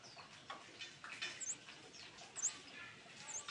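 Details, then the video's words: A scarlet-backed flowerpecker giving a lure call of thin, very high, sharp chips about once a second, faint over a steady background hiss. "Suara Pancing Burung Cabean merah"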